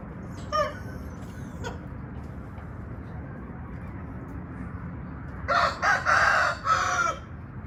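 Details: Red junglefowl crowing: a loud, harmonic, multi-part crow of about two seconds near the end, after two faint short calls early on, over steady low background rumble.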